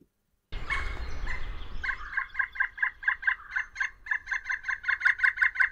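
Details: Pileated woodpecker calling in a winter backyard, a rapid run of loud, even, laughing notes repeated about three times a second, starting with a rougher burst and growing stronger toward the end, over low rumbling background noise.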